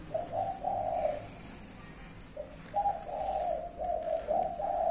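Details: Spotted dove giving its five-note cooing, a low mellow phrase of soft hooting coos, sounded twice with a short pause between, over faint background hiss.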